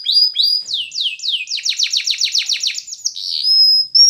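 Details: Spanish Timbrado canary sings for training other canaries: a few clear downslurred whistles, a rapid series of falling buzzy notes, then a long steady high whistle; clean recording with no background sounds.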